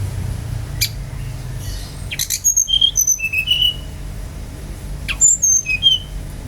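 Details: Song of a brown-chested jungle flycatcher, played to provoke other birds to sing: two bursts of sweet whistled notes, each descending in steps from high to lower pitch, the second phrase repeating the first after a pause, over low hum.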